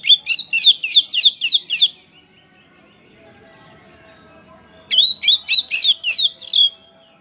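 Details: Oriental magpie-robin, poci type, singing in ngeplong style as a lure to make other birds sing out their repertoire: two bursts of about six to seven quick, high, ringing notes each, separated by nearly three seconds of quiet.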